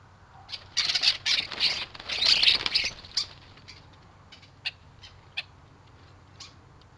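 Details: Common starlings squabbling at a garden feeder in Théding, 14 December 2022, winter: a burst of harsh, rasping screeches over about two seconds, then scattered short clicks and ticks in near quiet.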